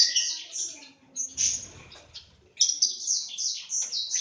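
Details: Lovebirds in a breeding aviary in Aceh, Indonesia: bursts of shrill, high chirps and squeaky twitters, a brief quiet gap midway, then a dense run of sharp repeated chirps.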